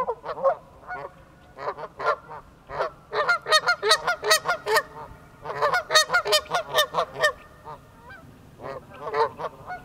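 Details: Two Canada geese on ice, disturbed by someone's presence, burst into loud, harsh honking, dense runs of nasal barks at roughly two and a half per second, with a short lull mid-way before another intense volley.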